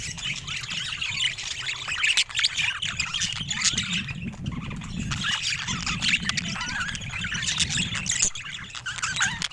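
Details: Pet budgerigar flock chatter: constant overlapping chirps and squawks, with a soft low rumble in the background and a few sharp clicks.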